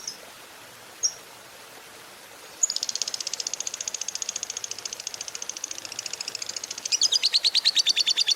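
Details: Fighter lovebird mixing ngetik and long ngekek, used to stir quiet lovebirds to sing. Two lone ticks precede a long buzzy rattle that grows into a louder, harsher rapid chatter.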